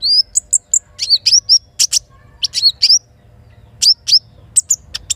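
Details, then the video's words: Little spiderhunter song in the morning, with kinin phrases mixed in, by a river in forest. Short upslurred whistles and sharp high chips come in small clusters with short pauses between. "Terapi Sogok Ontong isian kinin Pancing Gacor Pagi Hari"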